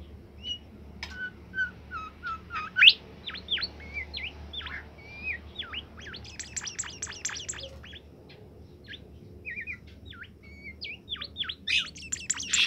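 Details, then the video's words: Bimoli bird singing vigorously in its cage: a long varied stream of clear whistles, quick rising and falling slurs and dense bursts of high chirps, delivered almost without pause over a soft low hum. "fuul gacor burung bimoli"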